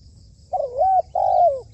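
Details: Trained decoy spotted dove kept for dove trapping, giving two low, mellow coo notes, the first dipping then rising, the second long and level before sliding down, over a soft rumbling background.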